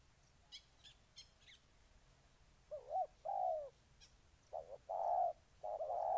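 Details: After a few high chirps and clicks from small birds, a spotted dove from Ninh Thuận, Vietnam starts cooing in the second half, giving two groups of short and longer hollow coos.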